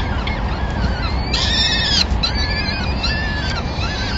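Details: Peregrine falcons at a nest in Madrid on 26 April 2016, as the male brings a small bird as the first meal of the day for the chicks: harsh, drawn-out, slightly arching calls over a loud, steady city rumble.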